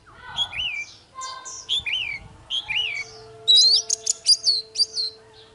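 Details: Oriental magpie-robin in full morning fighting song: three similar phrases of a downslurred whistle followed by a swooping lower note, then a quick series of sharp high chips and upswept whistles, with a faint constant hum underneath.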